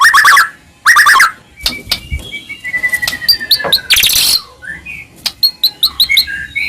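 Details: White-rumped shama in full, energetic song used to provoke other shamas into singing and agitation: two loud harsh rasping bursts, then a long thin falling whistle, sharp clicks, a noisy buzz and quick scattered chirps.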